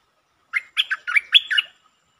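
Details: Streak-eared bulbul singing one of several song styles, including long and doubled phrases, recorded 13 February 2023: a tight run of five bubbly, liquid phrases lasting about a second, rising and falling in pitch.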